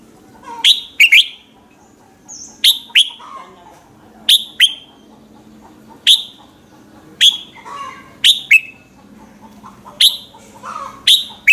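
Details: Red-whiskered bulbul morning song used to call and excite other birds; short paired whistled notes repeated about every second or two, with softer chirps from other birds between them.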